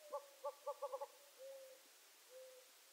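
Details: Gambel's quail, a small desert quail, uttering a quick series of six short clucking notes, then two softer, drawn-out low notes, over a steady hiss of background noise.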